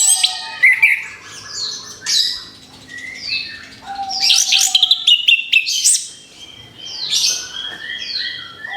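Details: Orange-headed thrush therapy song for a bird after moulting: energetic high whistled phrases and fast chirping clusters come in waves, with a lower steady whistle briefly in between.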